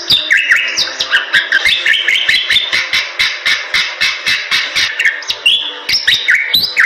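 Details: Vigorous Bali myna song for tutoring other birds: varied sliding whistles blend into a long run of quick rhythmic clicks, with a final flourish of rising and falling whistles.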